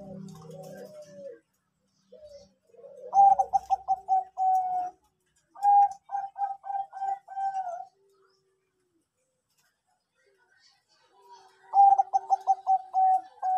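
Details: Bangkok-type zebra dove cooing its anggungan song, used as a lure to prompt other birds to sing: bursts of quick, rolling, trilled coos ending in a held note, separated by quiet gaps, with softer low coos between them.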